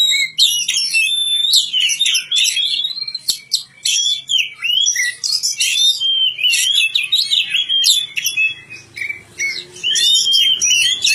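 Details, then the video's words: Magpie-robin cared for in a village giving a lively sequence of clear rising and falling whistles mixed with sharp chirps, phrases coming in quick bursts. "kicau burung kacer"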